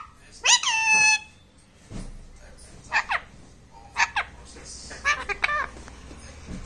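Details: Talking parrot kept indoors gives speech-like vocalizations: a long, loud, harmonic-rich phrase at the start, then several short, high, bent syllables spaced about a second apart in a quiet room.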